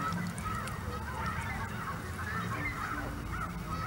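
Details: American wigeons at Hawreluk Park Lake give soft, wheezy whistled calls that overlap as several birds call at once, over a steady low rumble of wind or traffic.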